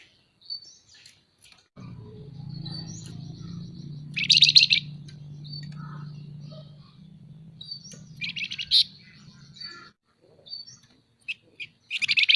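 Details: Caged scaly-breasted munia in active chattering voice, kept for training other birds and luring: thin high whistles and sudden dense rattling bursts around four and nine seconds, with a steady low hum underneath.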